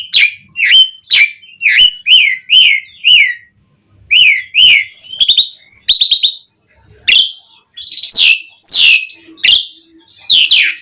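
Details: Asian pied starling (jalak suren) singing a varied lure to rouse other starlings: rapid chattering phrases of harsh downslurred notes, clicks and twangy whistles.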